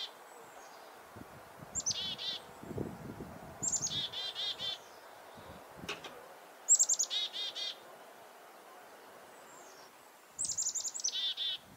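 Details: Alarmed chickadee reacting to a nearby goshawk at Reedfly Farm in February 2021, giving four chick-a-dee bursts a few seconds apart, each of high thin notes then rapid buzzy dees, with soft rustling and a sharp click.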